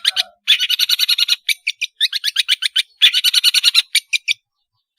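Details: Long-tailed shrike singing to tutor juvenile shrikes: rapid, rhythmic scratchy notes in fast rattling series, broken by short pauses, loud and clear.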